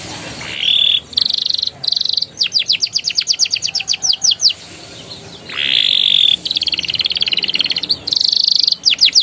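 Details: Canary song used to prompt young canaries to sing: long buzzy trilled rolls alternating with runs of rapid sharp descending notes, repeated over several phrases.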